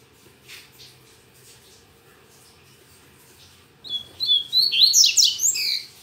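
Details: Saturday-morning song of a double-collared seedeater, still weak. After about four seconds of near quiet, a fast run of high whistled and buzzy notes rises and tumbles for roughly two seconds.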